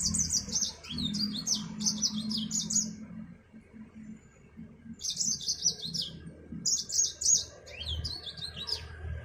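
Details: African Mozambique finch, or Yellow-fronted canary, delivers clusters of sharp, high twittering notes in bursts separated by short pauses. A low hum runs underneath.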